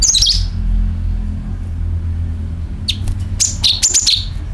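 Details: Lure recording of a sooty-headed bulbul: a quick high chirp group opens, then after a pause a burst of bright descending chirps and whistled notes, against a constant low rumbling background.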